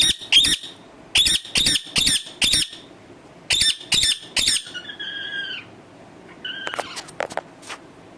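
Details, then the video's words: Talking pet parrot indoors, giving bursts of loud, rasping squawks in quick groups, then a drawn-out arched call and some softer scattered clicks. "bolane wala tota"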